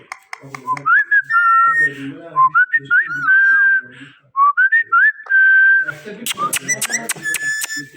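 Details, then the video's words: Pet Indian ringneck parakeet whistling a steady tune of held, slightly wavering notes in short phrases about two seconds apart, finishing with a burst of sharp clicks. "Mithu Mithu ki Pyari Awaaz | Indian Ringneck Green Parrot"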